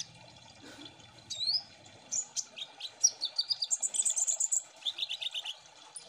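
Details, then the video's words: Kolibri ninja sunbirds singing in an ombyokan chorus meant to spur birds into song. Thin rising whistles give way to fast chattering strings of high, evenly spaced notes, bright and twittering. "Pancing Bunyi Burung KOLIBRI NINJA Ombyokan Agar Cepat Gecor"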